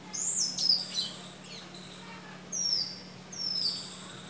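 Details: A pet Indian ringneck parakeet with its owner gives shrill, very high whistled chirps. Some squeaks fall quickly in pitch, and a few short calls come after a pause.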